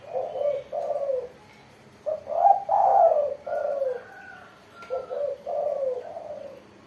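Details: Spotted dove singing; low mellow cooing phrases in groups, each coo dipping slightly, with pauses between phrase groups.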